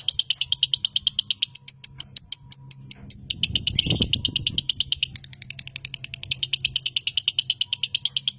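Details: Captive lovebird from a bird farm chattering while shaking its head, a rapid, even stream of high scratchy pulses about three per second, briefly broken by a low thump and rustle midway, faint steady hum beneath.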